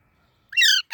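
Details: Baby parrot giving one short, harsh, rasping chirp with rich layered overtones, lasting about a third of a second, with the start of another call cut off at the very end; otherwise quiet.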